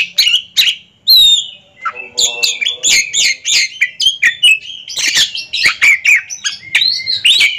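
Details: Competing Oriental magpie-robins in a ring duel give a rich, rapid song: stuttering chatter mixed with clear sliding whistles, nearly continuous, and a faint low hum partway through.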